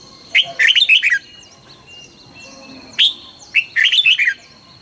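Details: A red-whiskered bulbul sings its morning training song, 2020: loud, fast warbled phrases of liquid whistles, a brief pause, then a single sharp note and another rolling phrase, with soft chirps and a steady high whine in the background.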